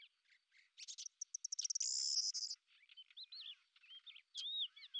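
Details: Lesser grey shrike, noted as a hunter that hovers in place, gives soft scattered notes, then a dry ticking rattle rising into a buzzy burst, followed by looping whistled phrases.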